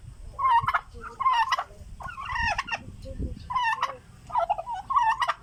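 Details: A turkey, said to be hungry, gives five bursts of rapid, rattling gobbles about a second apart, each a quick bubbling run of warbled notes, over faint low background noise.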